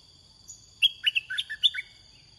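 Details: Red-whiskered bulbul during Thai decoy-bird luring sings one rapid phrase of about seven bouncy whistled notes, bright and varied in pitch, while insects drone steadily behind.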